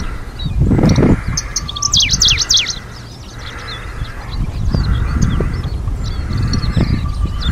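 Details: On Hokkaido breeding grounds in 2023, a Middendorff's grasshopper warbler gives a bright, hurried phrase of sharp falling notes lasting about a second, then softer scattered notes, against gusty wind and a faint steady tone.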